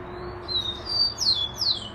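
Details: Rufous-collared sparrow singing: two or three clear whistled notes, steady or slightly rising, then two descending slurred trills, all high-pitched, over faint low background noise.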